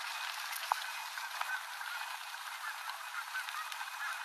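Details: Evening flock of Canada geese spiralling down onto the Rogue River in Oregon; a steady wash of distant overlapping honks with one sharp click early, recorded from a bicycle on a dirt road.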